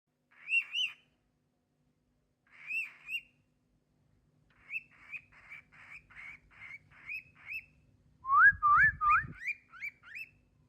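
A pet cockatiel whistles a series of bright, rising, looping notes in quick phrases.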